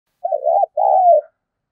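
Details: Spotted dove used as a lure, giving a 'thúc bổi' style call: two smooth, mellow coo phrases. The first is slightly wavering and the second longer and gently falling, separated by a brief pause, in a quiet setting.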